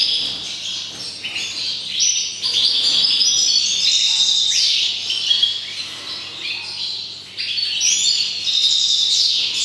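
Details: European goldfinch song recorded in 2019: quick liquid trills, chirps and rising and falling twittered phrases, with varied bright notes in fast succession and a soft steady hum beneath.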